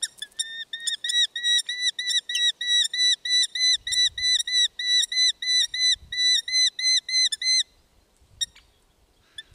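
A Eurasian hobby gives a fast series of about twenty-five shrill, flat-topped notes, roughly three per second, over faint low rumbles, then stops.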